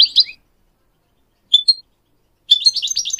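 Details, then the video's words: Goldfinch song used as a singing model for goldfinch mules and canaries: a brief chirp, a pair of clear whistled notes after a pause, then an excited run of rapid twittering notes. "Teaching goldfinch mules and canary to song"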